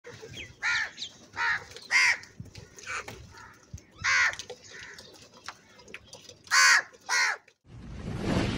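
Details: Angry crow cawing loudly: harsh, hoarse caws in short bursts, about one per second with pauses, some doubled, over a low background rumble, ending in a burst of noise.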